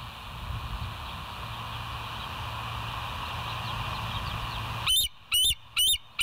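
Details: Bald eagles filmed on a live nature cam early on 26 September 2023, 07:01; steady hiss and low hum for five seconds, then four sharp, high, squeaky whistled notes in quick succession at the end.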